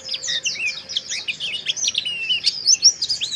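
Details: Mountain white-eye with harsh chirping to lift breeding arousal: fast, jumbled high chirps and squeaky slurs, about two or three notes a second, dense and continuous.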